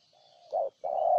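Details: Low, drawn-out soft coo from a spotted dove in Ninh Thuận, Vietnam, followed by a short loud husky note and a long, strong, steady coo.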